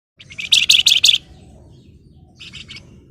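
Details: Flamboyan bird in breeding condition, singing excitedly to call out a rival: a burst of rapid, buzzy, chattering notes lasting about a second, then a quieter short rattle, over a soft low background hum.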